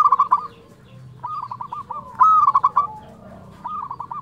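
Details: Local zebra dove in loud, active form singing a fluted song: a short rising note, then rapid cooing trills near one pitch, repeated in three phrases.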